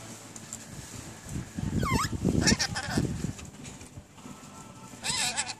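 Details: Newly acquired pet Rainbow lorikeets chattering in speech-like mimicry: a raspy, wavering utterance near two seconds and another near five, set against low indoor rumble and a thin steady tone.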